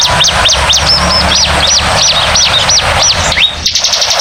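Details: Bar-winged prinia lure recording: loud, high, arched chirps in fast succession for over three seconds, then a brief break and faint clicking.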